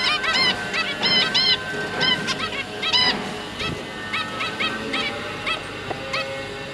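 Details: Zebra finch pair feeding their three juveniles: rapid bursts of nasal, toy-trumpet beeps, clustered early then thinning, several birds calling over a humming background.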